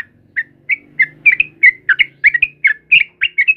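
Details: Sooty-headed bulbul singing in the morning over a low mechanical hum: separated whistled notes that speed up into paired, bouncy chirps, about four each second.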